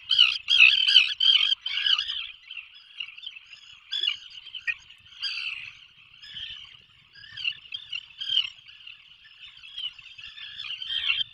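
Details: From a puffin breeding burrow off Maine, 2024 season: Atlantic puffin giving rapid, pulsing nasal notes, loud and choppy at first, then settling into a wavering drawn-out tone with intermittent stutters.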